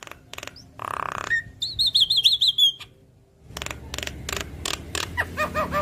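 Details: Javan myna singing its typical chatter to draw other mynas into song: harsh noisy bursts, a short wavering whistled trill, a pause, then more rasping notes mixed with thin whistles.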